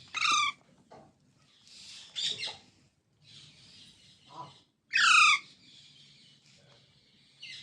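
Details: Baby parrots calling with loud harsh squawks, two strong falling bursts among fainter scratchy calls and a low background hum.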